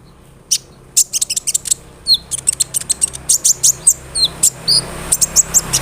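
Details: Olive-backed sunbird (kolibri ninja) song for coaxing silent sunbirds to sing: a busy stream of piercing, high chips and short squeaky slurs, quickening toward the end.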